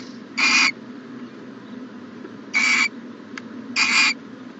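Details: Owl calling at its nest box on a January morning in 2020, three separate raspy hissing screeches, each about a quarter second long, spaced one to two seconds apart over a quiet background.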